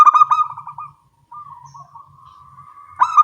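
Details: Morning calling between local zebra doves: a loud run of quick stuttered coos, a brief pause, a faint drawn-out coo, then another loud stuttering burst.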